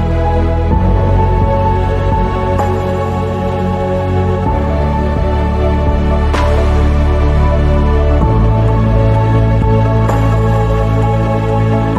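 Soft, sustained ambient music with slow chord changes and no animal sounds.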